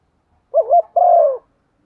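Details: Decoy spotted dove cooing in a set, well-patterned style meant to provoke other doves to call: two quick wavering low notes followed by one long, slightly descending hoarse coo, then silence.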